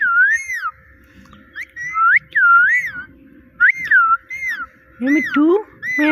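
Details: Repeated whistled, wave-shaped "Mitthu" phrases from a pet parrot, ending with deeper rising "meow" imitations.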